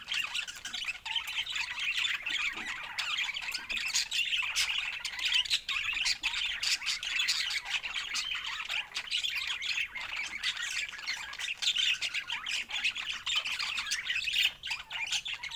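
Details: Budgerigars kept as pets keep up a long, unbroken babble of chirps, squeaks and raspy warbles, with sharp clicks scattered throughout.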